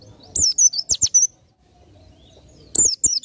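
An Oriental white-eye sings a rapid, very high twittering burst of sharp chirps, pauses briefly, then starts a second burst.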